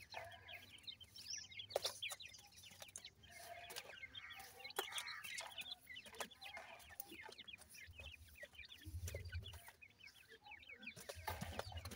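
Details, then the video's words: A brood of irani teetar francolin chicks peeping steadily: thin, high, rapid chirps from many birds at once, scattered clicks, and intermittent low-frequency rumble. "irani teetar chicks ki voice"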